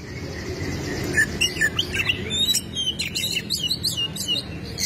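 An Oriental magpie-robin sings a fast, varied run of sharp whistles, chirps and slurred notes, high-pitched and nearly continuous, over a low background rumble.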